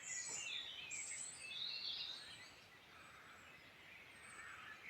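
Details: Several wild birds singing in the Irish Midlands: high, thin whistles and twittering trills overlap in a busy chorus, strongest in the first two seconds and softer afterwards, over a steady faint background hiss.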